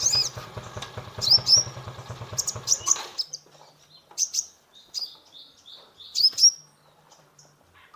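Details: Lively sunbird (konin) singing in full form, used as a lure to stimulate a stressed caged bird: sharp high chirps and short whistled upslurs in scattered bursts, over a low rumbling hum during the first three seconds.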